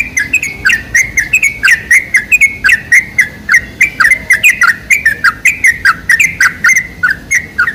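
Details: Sooty-headed bulbul song used as a lure to set other bulbuls singing: quick, bright chirped notes with short down-slurs, packed in a dense, lively run with barely a pause, over a faint low hum.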